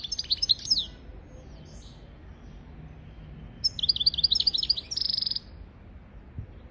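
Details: Singing European goldfinch, a training recording for young goldfinches and canaries: a tinkling twittered phrase opens, then silence, then a second run of bright chirps ending in a short buzzy trill, over faint low background hum.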